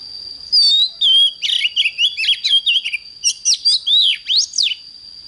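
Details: Oriental magpie-robin singing in the morning, 'căng lửa' style: long whistles, then a dense run of warbled, slurred notes and sharp upward sweeps, almost continuous, over a steady high tone.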